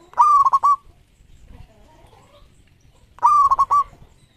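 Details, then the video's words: Champion local zebra dove singing vigorously in a lure recording: two loud, clipped cooing phrases about three seconds apart, each a rapid stutter of three or four notes, with quiet soft cooing between. "Perkutut Lokal Gacor Ekor 13 Juaranya Masteran Pikat"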